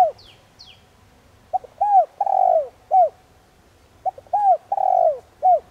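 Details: Spotted dove giving gentle coos to stimulate decoy doves. Two thin, high descending whistles from another bird open the recording, then two low four-part phrases follow, each ending in a long burry coo and a short drop.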